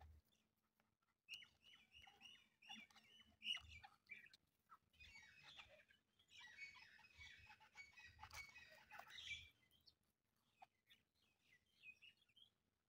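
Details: A pair of Chukar partridges kept as hunting birds calls. A run of short, evenly spaced clucking notes builds into a dense, busy burst of overlapping chatter, then fades to scattered notes.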